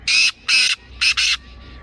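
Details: Kala teeter, the black francolin, in Sindh, Pakistan: four loud, harsh, scratchy notes, two evenly spaced and then a quicker pair, ending in a soft fading trail.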